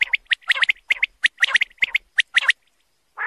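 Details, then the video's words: A male common quail gives repeated quick three-note phrases of sharp, liquid pips, about one phrase per second, ending in a brief lower nasal, buzzy sound. "common quail calling"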